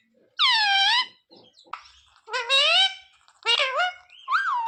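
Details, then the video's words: Pet parrot speaking sita-ram and jay shree ram indoors; three separated bursts of nasal, harmonic, speech-like syllables with wavering pitch, plus faint clicks between them. "Parrot talking sita-ram🚩parrot talking jay shree ram🚩सीता-राम 🚩जय श्री राम🚩mummy papa bolane wala"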